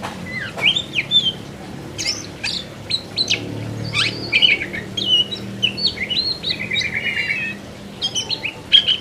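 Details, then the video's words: Oriental magpie-robin singing in the lively, continuous 'gacor ngerol' style: a fast run of varied clear whistles, rising and falling slurs and sharp chips packed closely together, with a low hum in the background. "BURUNG KACER GACOR NGEROL PLONG"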